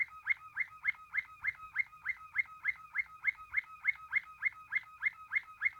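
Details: Waterslager song canary, whose voice is described as resembling trickling water; a steady, even roll of liquid, gurgling notes repeated about three times a second for six seconds, with no other sounds.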